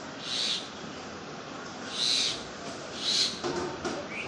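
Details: Bird calls at a water body in the jungle: three soft high whistled notes about a second apart over steady broadband background hiss, with a faint rising note at the end.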